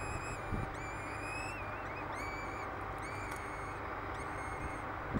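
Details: Feeding time for two young peregrine falcons, hatched 10 May 2007, nesting on Derby Cathedral tower, England; high, thin whining whistles repeat in separate bursts, a few with wavering pitch, over a continuous hissing background and faint thumps.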